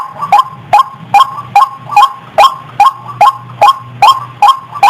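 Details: White-breasted waterhen lure call of a dozen rasping, upward-bending notes in a tight, regular rhythm, over a faint low hum.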